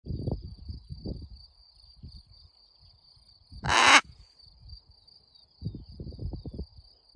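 A blue-and-yellow macaw gives one loud, harsh, grating squawk lasting under half a second, over low indoor rumbles and a steady thin high whine.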